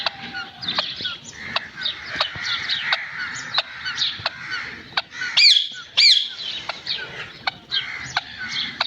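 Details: Green parrot talking: murmured nasal babble with scattered clicks and short squeaks, interrupted by two loud, shrill, rising squawks in the middle.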